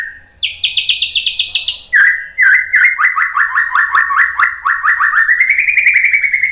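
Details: White-rumped shama singing to provoke other birds: a rapid high series of buzzy repeated notes, a sudden drop to lower whistles, then a long string of quick chirps gradually rising in pitch.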